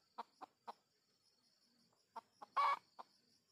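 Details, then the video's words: Red junglefowl clucking while wild junglefowl are being lured: a few short clucks spaced irregularly, then a loud rough burst followed by another cluck, with a constant shrill insect hum behind. "Pikat Ayam Hutan Jelek"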